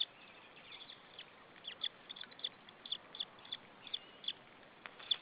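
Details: Chick of white-tailed eagle chirping on the nest at Saunja, Estonia, afternoon of 26 April 2013, ahead of being fed: high thin peeps spaced roughly every quarter second, fairly even, over soft hiss.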